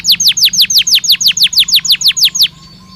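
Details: Belgian canary song used to warm up and stimulate singing: about a dozen loud, downward-sweeping whistled notes evenly spaced at several per second, then fading to quiet.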